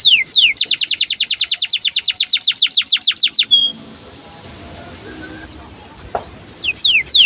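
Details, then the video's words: Canary in breeding condition, a long-singing 'gacor' bird giving 'cuit cuit birahi' chirping meant to prompt and train young canaries to sing. A fast run of about twenty sharp, high sweeping chirps lasts three seconds, then a quiet pause, then several steep descending notes return. "KENARI GACOR DURASI PANJANG Cuit CUIT BIRAHI UNTUK PANCINGAN & MASTERAN Kenari PAUD AGAR BUNYI"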